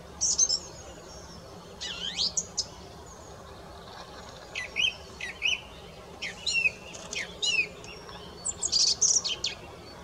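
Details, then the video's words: Song thrush song of varied phrases: a sweeping slurred note, then clusters of brisk chirps and rising whistles separated by short pauses. "Songtrush / Song - Singdrossel / Gesang"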